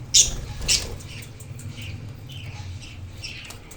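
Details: Captive budgerigars: a chick that left the hatching box a couple of days ago plays with its parents while two more chicks stay inside. Two sharp, harsh chirps open, followed by soft, scattered chirps over a low background hum.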